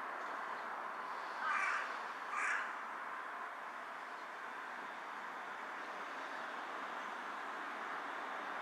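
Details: Two rasping caws in quick succession from a carrion crow on a power line, bowing while calling, 18 July 2023, followed by several seconds of steady ambient noise.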